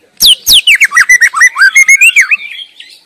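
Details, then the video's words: White-rumped shama singing in the wild: two sharp downslurred whistles open a rapid, varied phrase of looping whistled notes that trails off into softer warbling. "Sura merdu Burung murai batu sedang ngoceh gacor di alam liar"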